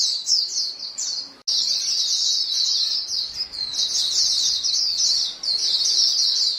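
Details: White-eye flock calls exchanged among the birds, meant to stimulate caged birds: a few separate high chirps, a brief gap, then a continuous bright twittering chorus.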